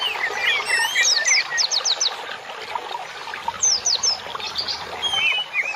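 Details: Songbird singing a lively tutor song used to train caged birds: quick bursts of sharp descending whistles, high chirps and short rattling trills, delivered in rapid, varied phrases with brief pauses.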